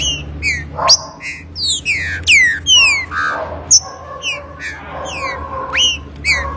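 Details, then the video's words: Rufous-bellied thrush singing a fast series of clear, ringing whistled slurs, mostly downward-sweeping notes with some upward flicks in quick varied phrases, over a constant low electrical hum and fainter background bird notes. "ABRIR CANTO DE TRINCA FERRO"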